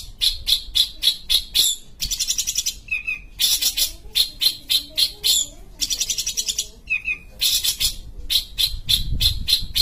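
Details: Long-tailed shrike (pentet or cendet) from Sumatra, singing vigorously: bursts of harsh, buzzy rasping pulses repeated rapidly, with short whistled slurred notes in between and a rising chatter toward the end.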